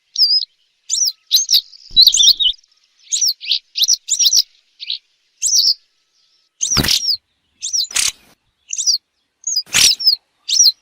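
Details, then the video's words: Western yellow wagtail calls, recorded for use as a hunting lure: short, high, sharp chirps in quick irregular bursts, roughly two per second, with three loud broadband clicks in the final seconds. "صوت إم صفيد للصيد، صفيدي، الزرعة الصفراء- نقي جداً Western Yellow Wagtail - Motacilla Flava"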